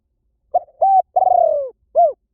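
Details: A single cooing phrase from a Spotted dove, said to attract wild doves quickly in any forest: clipped opening coo, level coo, long vibrating downslurred purr, and a rounded closing note, no other sounds.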